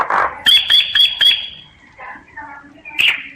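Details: Common myna (sáo nghệ) singing, captured with a voice recorder app: a harsh burst, then a run of sharp clicking notes over a steady high whistle, fading into softer chatter and ending with a raspy squawk.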